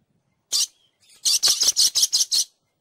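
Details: Dusky lory, a brown short-tailed parrot, giving one sharp, high shriek. After a short pause comes a quick, even series of about seven harsh, grating bursts.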